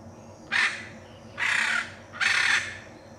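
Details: Harsh grating squawks from a Hyacinth macaw in Brazil's Pantanal, three broad rasping calls, the later two longer and drawn out, spaced under a second apart above faint background hum.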